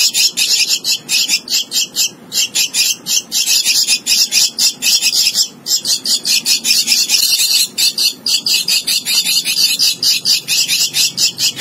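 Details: A hand-reared young Javan myna, a hoped-for strong singer, gives a loud, continuous stream of harsh squawks, chattering notes and high squeaky whistles, rapid and almost unbroken throughout.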